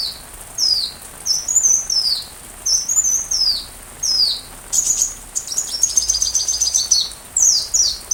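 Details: Sunbird singing for use in training a white-rumped shama: high, arched, slurred notes repeated in short phrases, then a dense, buzzy trill of very high chirps before more falling notes.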